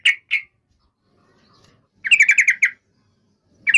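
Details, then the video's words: Yellow-vented bulbul with a couple of short chips, a pause, then a quick rattling burst of repeated notes and another chip. "SUARA BURUNG TRUCUKAN"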